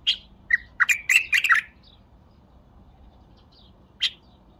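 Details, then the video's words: Bulbul song phrase: a sharp opening note, then a quick run of liquid, gurgling notes lasting about a second, followed by silence and one final bright chirp. "اقوه تغريده بلبل تمر"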